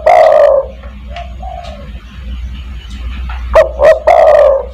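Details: Spotted dove giving a 'kuk 1' call to draw in other doves: the tail of one long coo, soft faint coos, then a full loud phrase of two short notes and a long rough, falling note.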